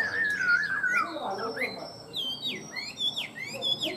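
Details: Tame caged Chinese hwamei, described as a good singer: a human voice first, then loud, sharp whistled notes that sweep up and down, repeated in quick bursts.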